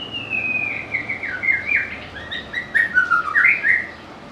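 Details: White-rumped shama, a songbird admired for its melodious, varied voice and ability to imitate other birds, pouring out a flowing string of clear whistles that slide down in pitch and finish with a higher rising note.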